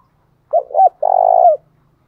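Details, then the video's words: Spotted dove call used to provoke other doves into singing quickly; a short two-part low coo followed by a longer, steady, slightly rolling coo that drops at the end, all against silence. "Chim cu gáy kích bổi nhanh nổi"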